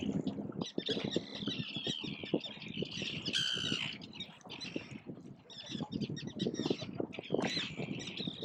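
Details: Wild gulls defending chicks that can swim but not yet fly, recorded from an island some 15-20 metres away; overlapping harsh squawking calls come in bursts above constant low-pitched background clatter.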